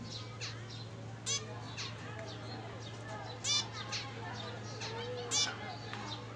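Several zebra finches chatter with soft twittering notes, broken every two seconds or so by loud nasal, buzzy beeps over a steady low hum.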